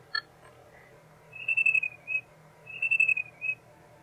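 Jungle babbler giving two squeaky, high whistled phrases about a second and a half apart, each a run of quick notes ending in a short separate note, over a low hum.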